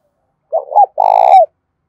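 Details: A decoy spotted dove cooing to draw in wild doves. A short stuttering double note is followed by one long, rough, rolling coo that slides down at its close. The background is quiet.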